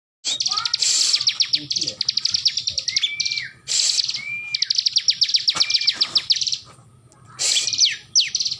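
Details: Bar-winged prinia, a lively singing bird still singing while held in its owner's hand: rapid series of sharp high ticking notes in bursts, with short upslurred whistles between; loud broadband noise bursts and a man's voice speaking.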